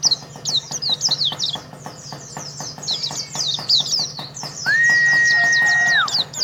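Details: Champion contest Oriental white-eye from Karawang singing a fast, high twittering stream of sharp chirps and slurred notes, with a clear steady whistled tone near the end, over regular dry ticking and a low steady hum.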